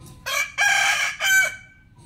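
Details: A rooster crows in the morning, giving a loud, rasping cock-a-doodle-doo in three syllables: a brief first note, a drawn-out harsh middle and a shorter dropping end, against a quiet background.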